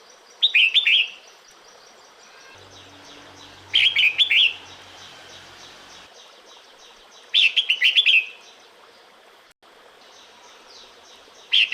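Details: Female red-whiskered bulbul calling the male in the breeding season, described as a wit-wiu call. Four short, bright, warbling whistled phrases, each about a second long, come roughly every three and a half seconds with quiet gaps. A faint low hum sounds briefly midway.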